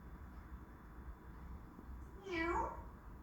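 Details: Pet African grey parrot in a room, asking to have its head scratched, gives one cat-like meow that bends upward and then falls, after a stretch of quiet low background hum.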